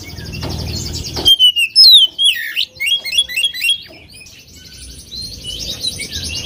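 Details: Oriental magpie-robin in a provocation song against a rival: a run of loud, sharp, twisting whistles and chattering notes, fading into a quieter, continuous background song.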